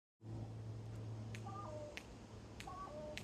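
A crow gives sharp, dry clicks roughly every half second, mixed with a few short, soft whistled notes over a low indoor hum.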